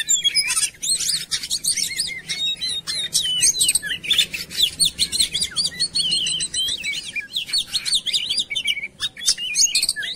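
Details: Oriental magpie-robin song compiled as a lure to get birds singing quickly: dense, nonstop run of sharp whistles, fast trills, chirps and buzzy slurred notes packed high in pitch, with loudness rising and falling throughout.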